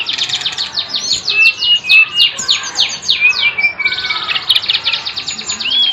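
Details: Bird pouring out a fast stream of descending whistled sweeps and chirps, several notes each second, broken by short pauses, then a dense burst of repeated notes.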